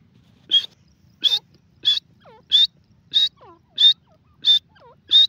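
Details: Grey francolin (Francolinus pondicerianus), possibly a female, gives loud, shrill, high notes repeated about every two-thirds of a second.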